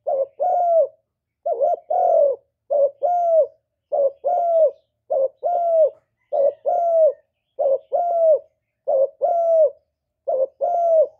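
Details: Cooing of a kept spotted dove, played to lure wild birds to a trap site and stir newly kept doves. Nine quick two-part coos in steady succession, each a warbled note followed by a drawn-out descending one.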